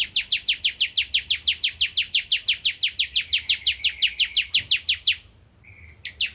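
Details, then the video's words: Bar-winged prinia (ciblek kristal), a bird of rice-field areas, in full song for tutoring magpie-robins: one long unbroken train of about thirty sharp, high notes at a steady fast pace, then a single short note after a pause. "Burung Ciblek Kristal Gacor Untuk Masteran Murai Batu"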